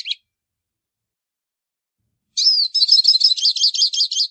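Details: Hooded siskin, or pintassilgo baianinho, begins a song phrase with a slurred descending whistle, then runs into fast repeated high twittering notes for about two seconds; nothing else audible.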